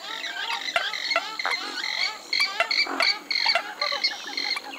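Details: Repeated bleating, nasal calls of a Western swamphen, coming in uneven bursts about two or three per second with bright harmonics, over a steady background hiss.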